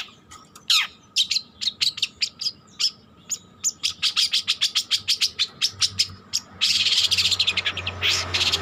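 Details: Young long-tailed shrike learning to sing: rapid series of sharp chirps and clicks, about three per second, broken by a few harsh scratchy bursts near the end; a steady faint electrical hum underneath.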